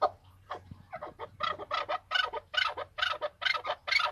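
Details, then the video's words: Excited male chukar in Tajikistan, 2020, building from scattered clucks into fuller, harsher, ringing chukar notes repeated about twice a second. "Садои Наркабки Маст 2020. Голос Куропатка (Кеклик) в Таджикистане 2020.Keklik in Tajikistan"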